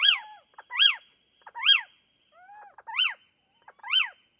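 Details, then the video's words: Little owl, recorded in Portugal, repeating sharp arched mewing calls about every 0.8 seconds, five loud calls in a row, with a fainter gliding call from another bird partway through. "Canto do mocho-galego (Athene noctua)"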